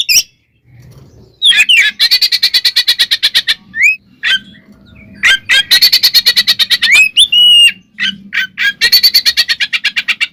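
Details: Oriental magpie-robin 'ngekek tarung' fighting song meant to make other magpie-robins emotional: three long, fast, buzzy rattles of many evenly spaced pulses, separated by sharp slurred whistles, over a faint low hum.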